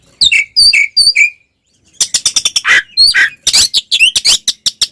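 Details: Provoking fighting song of an Oriental magpie-robin: three clear downslurred whistles, a short silence, then a dense stretch of fast chattering notes mixed with harsh rasps and rising whistles.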